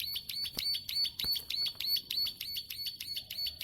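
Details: Long clicking song of a plain prinia, high dry clicks repeated quickly at an even pace, about three per second, continuing without pause.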